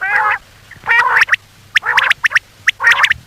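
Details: Common quail calling, played by hunters at night as a lure: short rasping nasal bursts separated by crisp, rapid double and triple notes over a faint hum.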